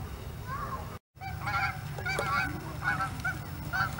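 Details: American wigeon at Hawreluk Park Lake, scouting the scene: a chorus of short, clear whistled notes, some slightly rising, repeated irregularly about once a second, over a steady low rumble of background noise.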